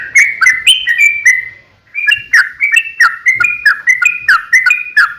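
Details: Sooty-headed bulbul fighting song meant as a lure for other bulbuls: a short burst of liquid notes, a brief pause, then a brisk rising and falling chain of bright, clicking chirps.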